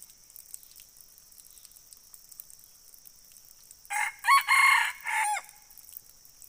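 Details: After several seconds of quiet insect buzz, a red junglefowl gives one abrupt crow of four joined syllables, the last dropping downward, lasting about one and a half seconds.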